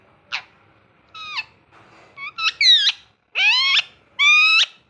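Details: Loud, raspy calls from a pet ringneck parrot, talking and having fun: a quick chip, then a series of harsh, rich screeches, some doubled and some rising at their ends, in otherwise quiet surroundings.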